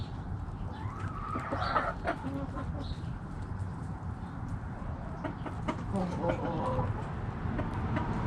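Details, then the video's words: Backyard hens making noise, a rising, wavering cackle early on followed by irregular quick clucks from several birds, over a constant low rumble. "Backyard Chickens Making Noise! Hens Clucking Roosters Crowing"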